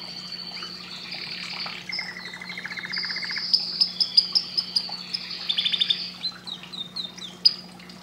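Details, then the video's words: Canary song heard at a lower level: thin high whistles, a low-pitched rapid rattle, then sharp repeated chips and rising notes, with a soft background hum. "canário cantando muito"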